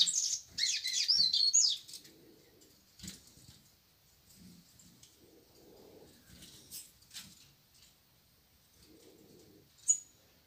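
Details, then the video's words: In the morning, a Green-winged Saltator shows off with a loud burst of high whistled song for about two seconds, then mostly quiet with faint low murmurs and one brief sharp note near the end. "Trinca ferro dando show logo de manhã"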